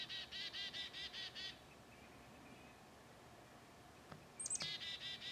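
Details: Black-capped Chickadee in Ohio giving its husky, slow-tempo call, a run of about six buzzy dee-dee-dee notes in quick succession, then a high thin note leading into another burst.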